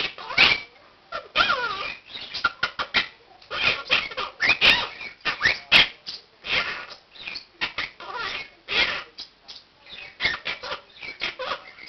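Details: Indoor morning wake-up calling at 7 am from a one-year-old male Quaker parakeet rehearsing learned words and phrases, with other birds in the room joining in; rapid, uneven series of short harsh squawks and chatter, roughly one burst a second.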